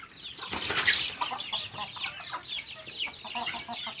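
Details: Chicks eating and peeping, with a brief loud rustling burst near the start, then many short high chirps overlapping throughout.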